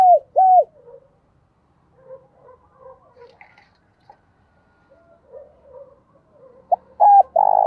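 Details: Decoy spotted dove luring wild doves: two low, hollow coos at the start, a stretch of faint murmuring and soft knocks, then a clipped note and coos building again near the end.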